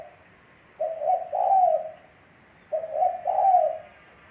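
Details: Spotted dove song for luring birds: two evenly spaced low coo phrases about two seconds apart, a brief hoarse note leading into a drawn-out, swelling coo. Quiet background.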